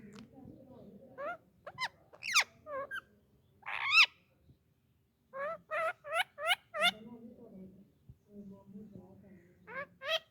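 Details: Indian ringneck parakeet, described as a talking parrot, giving a series of sharp, rising and falling harmonic squawks and chattering notes in bursts, with a low background hum between phrases.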